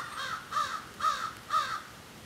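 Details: Crows calling back and forth, described as a serious discussion: four harsh caws spaced about half a second apart, each with a rough, nasal tone, over a quiet background.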